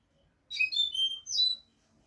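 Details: European goldfinch song phrase used as a tutor recording for teaching young goldfinches: one bright burst of about a second of twittering, tinkling notes, a sharp upward chirp, then sustained high whistled notes and a final clipped flourish, over a quiet background.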